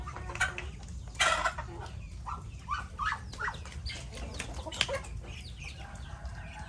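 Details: Flock of chickens and ducks calling in the rain of Typhoon Noru; loud bursts of clucking near the start, then quicker short clucks and squawks rising and falling, over constant rain noise.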